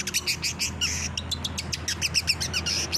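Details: Long-tailed shrike song played as training for captive birds: dense, rapid, scratchy high chirps repeated several times a second without pause, over a low steady hum.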